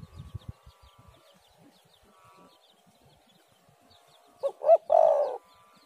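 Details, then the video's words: Spotted dove heard after a quiet stretch with faint ticking: a single coo phrase near the end, with two short hoots leading into a long mellow note. The recording serves as a lure to make doves call. "tekukur super gacor suara burung derkuku"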